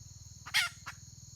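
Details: Recorded 31 May 2023, a red junglefowl hen utters a single loud grating squawk followed by one softer short note, with a steady high whine and low hum behind.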